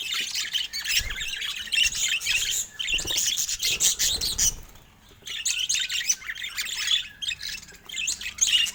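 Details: Several pet budgerigars chattering, presented as showing affection: dense continuous warbling and squeaky chirps, with a brief lull midway.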